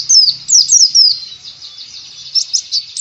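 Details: Oriental white-eye singing as ngalas teaching material: a few loud, sharp descending whistles, then a softer, high, wavering thread and a final bright note, all in three seconds.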